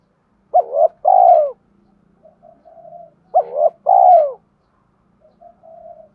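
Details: Spotted dove cooing for decoy-bird training: two loud two-part coos, each a short rising note followed by a long, falling, hollow note, each trailed by softer, quieter cooing, over a faint low hum.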